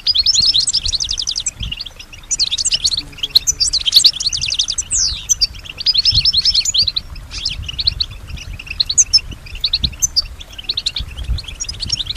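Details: A European goldfinch kept as a singing bird, said to echo the sounds of other birds and people, gives long stretches of fast, high, twittering song in repeated bursts of buzzy trills and bright chips.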